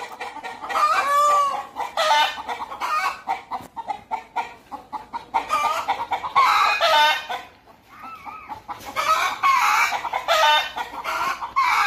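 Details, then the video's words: Hens and roosters making a racket at Deokso Natural History Museum. Rough cackling bursts alternate with drawn-out tonal calls that rise and fall, and there is a short lull just before the final loud stretch. "떠드는 닭들"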